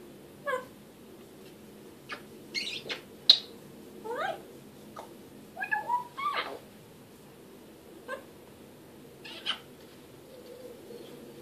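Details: Grey parrot talking: a pet African grey makes scattered vocal bursts of sharp clicks, quick rising whistles and wavering, meow-like notes, spaced a second or two apart over a low indoor hum.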